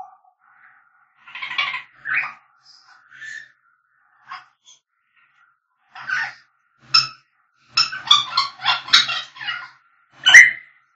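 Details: African grey parrot whistling: scattered raspy squawks and soft notes, then a rapid sequence of clipped, harmonic chirps ending in a sharp loud call.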